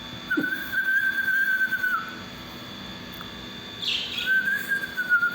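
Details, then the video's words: Two pet parakeets playing in a house give long, thin whistled notes at a steady pitch, with a brief harsher chirp between them, over a faint indoor hum. "Sound of parkeet birds"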